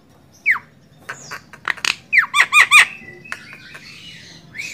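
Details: Javan myna, recorded as master material for training songbirds, giving scattered harsh squawks and a short cluster of down-curved notes, followed by softer rising and falling whistles.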